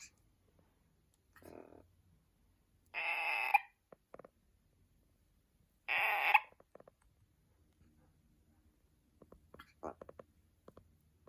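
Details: Amazon parrots kept as pets, relaxing together: two loud, harsh, grating squawks roughly three seconds apart, a fainter short call before them, and scattered clicks and small noises afterward in a quiet room.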